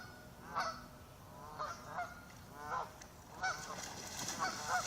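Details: Several ducks on a lake giving warning calls while swimming away from the shore as someone arrives; harsh nasal honking calls with harmonic bands, repeated in bursts about once a second, over a steady background hiss.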